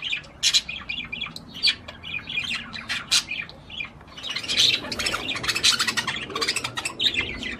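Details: Budgerigar singing to stimulate a female to mate: a busy, scratchy chattering warble of rapid squawks and chirps, uneven at first, then becoming a dense continuous twitter in the second half.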